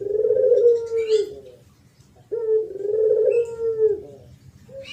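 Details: Spotted dove singing in the thổ pháp cooing style, used to provoke young birds, males and females: two long, low, hoarse coos, each swelling then sliding slightly downward, separated by a short pause.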